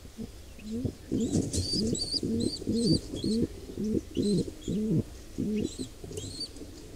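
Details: At a wild pigeon nest, an intruding pair attacks a nestling; deep rounded coo notes repeat roughly twice per second, with high whistled squeaks above and brief rustling near the start.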